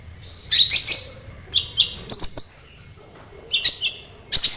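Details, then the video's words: Sunbird song used as a lure for other sunbirds; clustered very high, shrill twittering bursts separated by short pauses, each burst a few rapid sharp notes. "SEMUA Burung KOLIBRI CUEK LANGSUNG RESPON DAN GACOR Dengan PANCINGAN INI!KOLIBRI NINJA GACOR"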